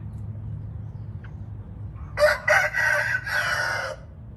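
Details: A Red junglefowl crows close by: a loud, raspy crow in three to four linked segments, the last long and drawn out, following a quiet stretch with a low background hum.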